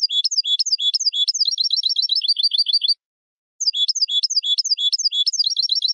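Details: Hybrid European goldfinch song for tutoring young birds, a dense run of rapid high chirps and tinkling trills lasting about three seconds, a brief silence, then the same fast twittering phrase resumes.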